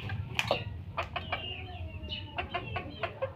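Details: Junglefowl giving short clucking notes and a few stretched, gently falling calls, spaced irregularly over a steady low rumbling background.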